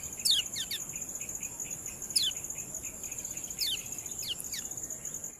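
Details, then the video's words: Yellow-bellied prinia, known locally as kecial kuning, in a ciak tutor recording for cage birds: clusters of quick, steeply falling whistles returning about every one and a half seconds, backed by a continuous shrill insect drone. "CIAK ANDALAN OBATI KECIAL MU YANG MALAS BUNYI"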